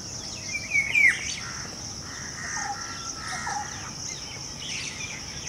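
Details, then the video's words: Golden oriole, called Sone Ki Chidiya, singing in the breeding season: a few clear whistled notes, then smoother fluty phrases, over a steady high insect-like hiss. "Golden Oriole (Sone Ki Chidiya - Reminder of golden period) its color and song"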